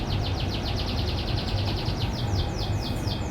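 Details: Canary from a private farm singing in the morning: even series of quick downward-sliding whistled notes, about five per second, slowing slightly toward the end, against strong low-pitched background noise.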